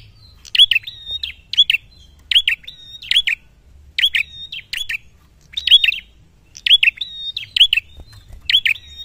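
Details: Actively singing prinia seeking a rival, giving quick bright chirping phrases of two or three clipped notes, repeated roughly every second with short pauses, against a quiet low background hum.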